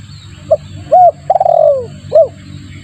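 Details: One spotted dove phrase used as a lure: a short note, a clear rising-falling coo, a long rolling coo sliding downward, and a final coo. Low rumbling noise underneath.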